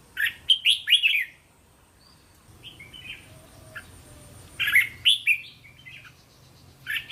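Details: Training song of a red-whiskered bulbul, repeated so young caged birds learn to answer in turn; short bubbly, whistled phrases of several quick slurred notes come in bursts every few seconds, with faint softer notes between.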